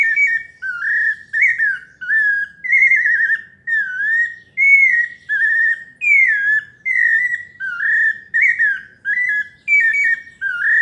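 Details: Pale-breasted thrush, known as sabiá parda paulista, giving a melodious song of clear whistled phrases, each slurred up or down, repeated steadily with short pauses, roughly one phrase per second, in a quiet setting.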